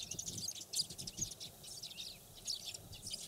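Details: Eurasian tree sparrows, wild birds of Japan's fields, grasslands and watersides, in a busy overlapping chatter of high, short chirps, many birds calling at once with no steady rhythm, with a faint low rumble underneath.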